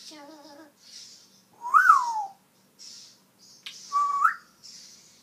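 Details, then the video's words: Talking African grey parrot, a pet showing some of its mimicked vocabulary: a short buzzy harmonic phrase, then a loud rising-and-falling whistle and a later upward-sliding whistle, between soft rhythmic hissing noises indoors. "the talking African grey. He shares some of his vocabulary here, but can say so much more!"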